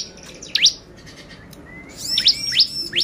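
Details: Excitement lure of a bar-winged prinia: a high thin tone with a couple of sharp upsweeps, a quiet gap, then a run of four loud rising notes at the end.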